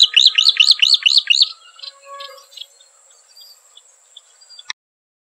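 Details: Striated grassbird giving a fast, loud series of about six looping, up-and-down whistled notes. Scattered softer chirps follow, then a sudden click before silence.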